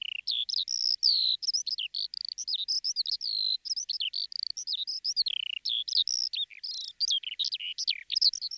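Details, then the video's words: Woodlark, locally called yula, singing a fast, continuous, varied warble of high chirping and slurred notes without pause, clean and free of other sounds. "Лесной жаворонок (Юла)"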